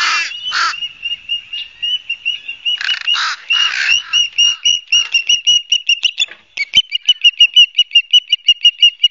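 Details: Ospreys at a nest at Barnegat Light, New Jersey, on 12 September 2022, picked up by a nest camera. Loud, high whistled chirps come in rapid series, with a few rougher bursts at first, then a steady run of short, evenly spaced cheeps.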